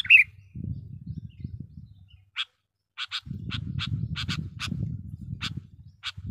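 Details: Sooty-headed bulbul lure song: it opens with a brief warbled phrase, then gives a pause and a string of sharp chirps in pairs and singles, over continuous low rumbling noise.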